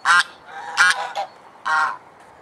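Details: A domestic swan goose in Alkmaar, Holland, gives three loud, nasal honks, the first two short and close together, the last longer and drawn out.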